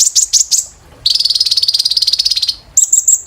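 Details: Sunbird (kolibri ninja) therapy song for training caged birds: a few high quick chirps, then a long, dry, rapidly pulsed trill lasting about one and a half seconds, followed by piercing repeated high notes.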